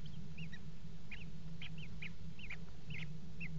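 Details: Common kestrels calling during mating on the edge of a nest box at a water tower in Axel, the Netherlands, 5 February 2018: short hooked, slightly rising notes repeated about every third of a second over a steady low hum.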